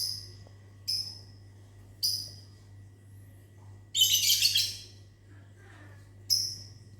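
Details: Morning lovebirds in a mini aviary answering whistles: sharp high chirps about a second apart, a dense scratchy burst of chattering in the middle, then another chirp; constant low hum behind.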